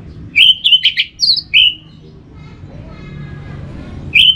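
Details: Orange-headed thrush, sound meant to prompt others to sing in a covered cage or in the morning: several quick, sweet whistled notes with one higher trill, a drawn-out slurred whistle, silence, then one more note.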